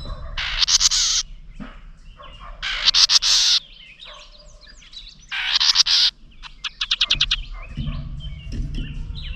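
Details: House wren angered by a camera set near its nest, giving repeated harsh raspy scolds roughly every two to three seconds, with a quick ticking rattle between them and low background rumble.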